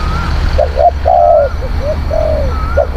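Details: A spotted dove cooing, recorded to lure wild doves: two brief notes, then a long, level coo, followed by softer notes. A faint higher whistle and a low rumble sound in the background.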